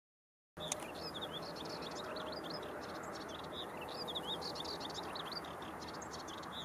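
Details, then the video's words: Melodious warbler singing at Ellecom, Netherlands, on 10 June 2015: a fast, rambling chatter of short twittering and slurred notes, continuous and varied, over a steady low rumble of background noise. "Orpheusspotvogel - Hippolais polyglotta - Melodious Warbler"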